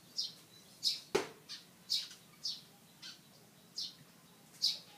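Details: In a tree, a pied fantail fans its tail open and utters a steady series of high, sharp chipping notes, about eight in five seconds, broken by one brief knock.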